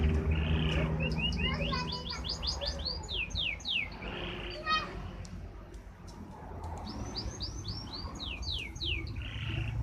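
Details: Canary song called 'badai': quick runs of bright downslurred whistles strung in rapid series, buzzy trill bursts and brief pauses, returning to a fast cascading run near the end over faint low background noise.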